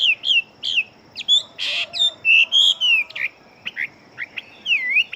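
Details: Fighting-bird Chinese hwamei in rapid song, a quick run of loud slurred whistles and short sharp notes, some rising and falling, with one burst of harsh broad noise midway and a constant faint high hum.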